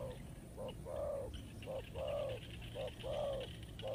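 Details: Spotted dove cooing, used as a lure for trapping: low, mellow coos repeated about once a second, each a short note followed by a longer rolling coo, over steady background hum and faint hiss.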